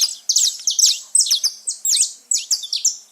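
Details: Free-living saffron finches in a lively chorus: sharp high chirps and short buzzy trills alternating in brisk phrases roughly every quarter second.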